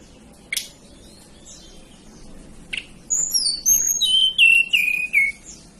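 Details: Hill blue flycatcher from the Banten and West Java mountains. After two sharp clicks, a rapid run of clear high whistles descends in steps to a lower, sweeter ending, like a tumbling cascade of notes.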